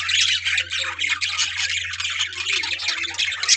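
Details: Colony of budgerigars with breeding pairs ready to breed, kept in captivity: dense continuous chattering and squawking from many birds overlapping, harsh and high-pitched, with a steady low hum underneath.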